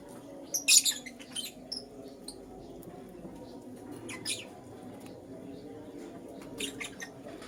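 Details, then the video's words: Sharp, high, scratchy chirps from a lutino lovebird in the morning, coming in isolated bursts separated by quiet stretches with a low room hum. "Lutino LoveBird Chirping Sounds"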